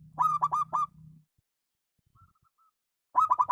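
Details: Zebra dove, perkutut lokal, with a voice called special: a phrase of four clipped, harmonic-rich coos over low rumble, a pause with faint thin whistles, then another quick coo phrase beginning.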